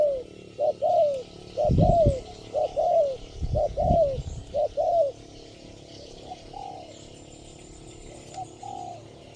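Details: Single responsive spotted dove answering lure birds at a trapping site, giving repeated mellow coos that swell and fall, grouped in short phrases, with loud low knocking noises around two and four seconds and the calls fading toward the end.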